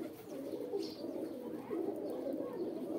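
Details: Pigeons making mating calls: an unbroken low cooing drone from several birds, growing slightly louder toward the end, with a faint high chirp early on.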